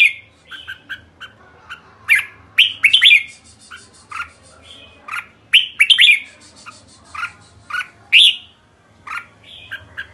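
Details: A red-whiskered bulbul delivers kekek calls, short scratchy chirps grouped in quick doublets and triplets with uneven gaps, bright and ringing, over a faint constant hum.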